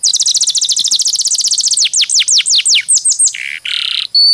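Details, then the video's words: Canary song intended for training other birds, a fast high trill of repeated sweeping notes that slows into separate downward swoops, ending in short buzzy rolls. "Masteran Mp3 Burung Kenari"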